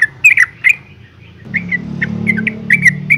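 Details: Female yellow-vented bulbul calling to a male: quick bubbly chirps in brief bursts, bright and mid-high, about two or three a second, over a low engine-like rumble.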